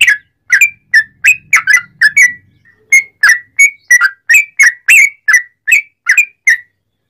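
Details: Lively whistled song of a sooty-headed bulbul, played to stimulate other bulbuls: a steady string of short, bright notes, some slurring downward, roughly three each second with a brief gap partway.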